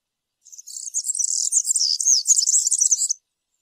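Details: European serin, campero-style song for young birds to learn: a single continuous phrase of nearly three seconds, a thin, fast, metallic twittering that swells quickly and runs without a break before stopping abruptly.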